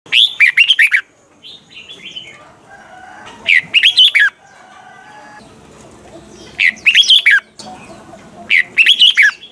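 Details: Caged Red-whiskered bulbul singing a morning training song, the double-note old-forest style: bursts of loud whistled, warbling phrases of about one second, recurring roughly every three seconds, with quieter softer notes between.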